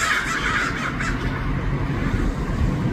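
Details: Crows in a large group in Los Angeles, a few hoarse caws in the first second and a half, then only low traffic-like rumble.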